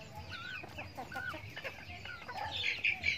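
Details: Chickens from a backyard farm, eating feed, make soft rising and falling squeaky notes and murmurs, then end with higher, thin, shrill peeps, over a low background rumble.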